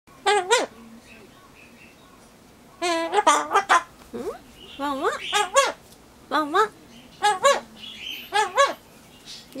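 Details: Pet Solomon Islands cockatoo that recently began imitating a neighbour's barking dog, giving loud harsh bark-like 'wan wan' calls in short bursts, with a person's voice between.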